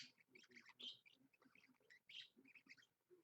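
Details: Budgerigar (parakeet), a pet bird recorded at 7 a.m. on a Monday: soft continuous warbling chatter of short chirps and squeaky notes, quiet and somewhat muffled.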